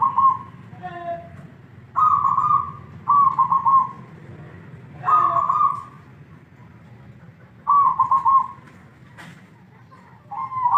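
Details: A kept local Zebra dove sings, giving soft, rapid, stuttering coo phrases, each under a second. The phrases repeat every couple of seconds over a low background hum.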